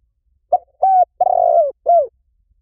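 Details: Spotted dove call used as a lure to draw doves in quickly in any forest: one four-note phrase, a short coo, two longer mellow hooting notes and a falling final coo, clean with no other sounds.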